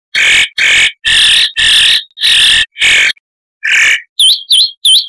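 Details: Chalk-browed mockingbird, Mimus saturninus, harsh-voiced tutor recording for cage birds: six loud, broad, rasping notes in steady sequence, a pause, then one more rasp and three thin whistled, down-up flicks.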